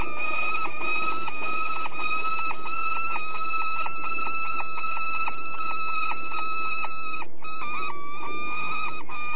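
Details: Continuous harsh, ringing chatter from a peregrine falcon at De Mortel, Netherlands, with notes following quickly and evenly for nine seconds, briefly interrupted by a click.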